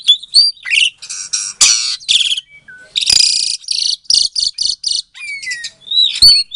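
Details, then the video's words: Asian pied starling from a Klaten breeding aviary in Indonesia, singing to goad silent starlings into replying: long grating buzzy blocks alternating with rising and falling whistles and occasional sharp clicks. "Suara Jalak Suren Pancingan, Jalak Macet Pasti Jadi Emosi Langsung Nyaut"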